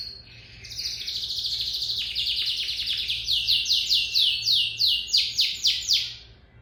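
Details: Song of a lizard canary: a fast buzzy trill building in loudness, followed by about a dozen loud, evenly spaced descending sweeps, each note sliding from very high to mid pitch, with faint hum underneath.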